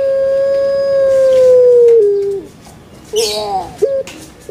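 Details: Puter pelung, a domestic Barbary dove from Javanese bird keeping in Indonesia, delivers one long, smooth, ringing coo that slowly falls away after two seconds, followed by short rough gurgling notes.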